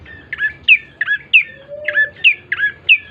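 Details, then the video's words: Bar-winged prinia song as a lure to make birds start singing: alternating squeaky chirps, some with a hooked rising note, about three per second, with a faint low hum beneath. "pancingan prenjak coki GACOR❗ agar cepat bunyi"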